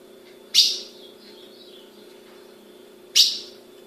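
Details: A captive female Ultramarine grosbeak (Cyanoloxia brissonii, azulão) in Brazil calls, giving two sharp, high, metallic chips about two and a half seconds apart over a faint low indoor hum.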